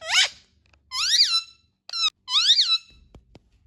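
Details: Indian ringneck parakeet vocalising: a raspy descending squawk, then two long wavering, rising-and-falling nasal screeches separated by a brief clipped note, ending with soft clicks.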